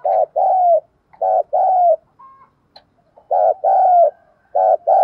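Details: Spotted dove kept as a decoy, calling its full song to draw in wild birds: paired coos, a short note then a longer falling one, repeated in two phrases separated by a brief quiet gap with a soft tone.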